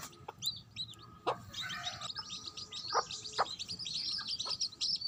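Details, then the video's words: Hen with chicks: quieter, high-pitched chick peeping clustered in the second half, with a few scattered low clucks from the mother and a faint background hiss. "Mother chicken with baby chicks."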